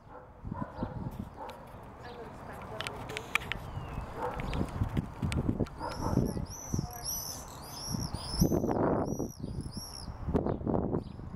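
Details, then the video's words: Non-breeding common swifts, called bangers, visit nest boxes under house eaves on 16 June 2014. A rapid run of shrill, trilled screams in repeated bursts comes midway, over steady low thumps and knocks throughout. "swifts 2014 - June 16th bangers at under eave boxes"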